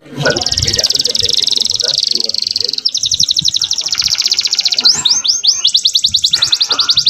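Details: Canary song intended to bring females into breeding condition: a long continuous high buzzy trill shifting into a faster pulsed rattle, a few swooping whistles, then renewed trilling over a murmur of low background sounds.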